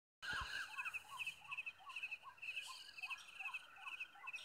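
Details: Oriental magpie-robin in Nepal giving rapid, high chattering notes over short, rising chirps repeated about twice a second, with a busy background of other small bird calls.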